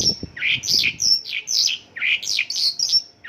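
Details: Mongolian lark, song filled with local bird calls (isian lokalan): rich, slurred, swooping whistles alternate with thin, sustained very high tones, delivered in quick rolling phrases.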